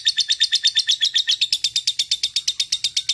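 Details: Ngekek trill from a fighter lovebird challenging a rival, a quick pulsing rattle of harsh, buzzy notes, steady and loud, roughly seven beats per second.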